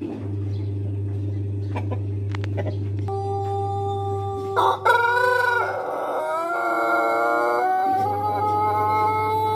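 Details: Indonesian Pelung chicken, kept as an ornamental bird rather than for fighting, starts a prolonged crow midway after steady hum and faint tones. The crow opens with sharp notes, then runs long, rich and wavering, shifting pitch in steps to the end.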